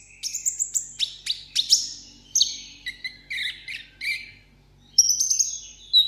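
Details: Caged sunbird singing a solo contest song: fast sharp chirps and buzzy high phrases, a brief pause, then a thin steady whistle and a last sharp note; soft hum in the background.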